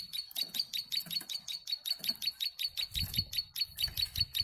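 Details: Plain prinia, tame and in full voice, delivering a long run of song: rapid, evenly spaced buzzy ticks at a high pitch, close to three per second, with soft low knocks in the background.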